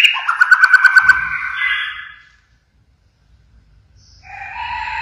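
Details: Pied 'blorok' White-rumped shama in active song: a quick string of evenly repeated whistled notes fading out, silence, then a short whistled phrase returning.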